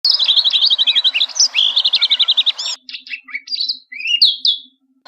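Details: Bluethroat singing: a fast run of repeated sharp metallic notes for nearly three seconds, then varied whistled and buzzy phrases with short pauses; a faint steady low hum underneath.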